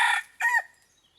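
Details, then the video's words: Part of a red junglefowl decoy's crow while luring wild junglefowl: a harsh burst cut off, then a short rasping phrase that drops at its close, followed by quiet. "Dib qaib qus tuaj niag txawv txawv ต่อไก่ป่า"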